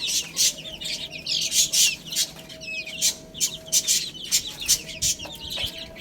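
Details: Young chickens at a meal of spinach: a rhythmic run of loud pecking clicks about every half second, layered with many small, high, sweeping chirps.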